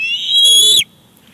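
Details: Bald eagle nest at Big Bear Lake, 18 July 2019, as the father arrives with fish for the chick. One sustained, piercing whistled squeal lasts under a second and ends with a slight downward slur.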